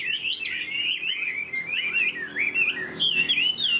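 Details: Chinese hwamei, a tame caged bird, delivers loud, rich whistled song phrases that swoop up and down, ending in bright, higher ringing notes.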